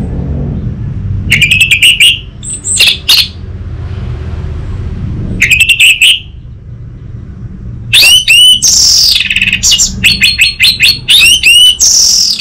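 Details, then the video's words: Orange-headed thrush song meant to draw untrained birds into answering: brief clusters of sharp whistled notes separated by pauses, ending in a rich, rapid sequence of ringing, swooping whistles. "Pancingan dan Masteran Burung ANIS MERAH Bahan, SuPaya Nyaut Ngeplong dan Singset"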